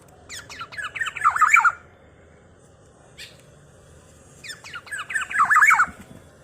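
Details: Black-naped oriole singing in a way said to stir up other orioles, giving two bursts of rapid, twisting, slightly harsh warbled notes a few seconds apart, each building louder toward its end, over a quiet hissy background.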